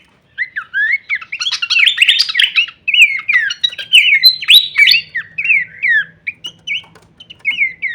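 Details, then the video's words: Horsfield's babbler, pelanduk semak, in full-variation kleperan song meant as masteran audio: a dense, busy chatter of twittering and rattling notes that settles into spaced, slurred whistles. "masteran andalan khas burung pelanduk semak suara full variasi kleperan"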